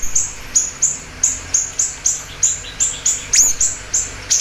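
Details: Siri-siri bird in vigorous voice, recorded as a lure and master for training: steady run of sharp, very high chip notes roughly every third of a second, one briefly dropping and rising, with a quiet low rumble behind.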